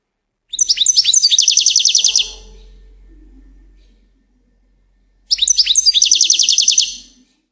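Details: Singing goldfinch gives two matching bursts of quick, sharp, upward-flicked notes that roll into a dense metallic trill, each lasting under two seconds, with a faint low hum after the first.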